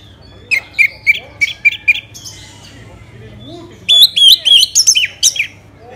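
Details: Orange-headed thrush from Singaraja, Bali, singing a lure song meant to set other birds off. A row of short, evenly spaced notes is followed by a louder burst of rapid, varied whistled phrases over a low background hum.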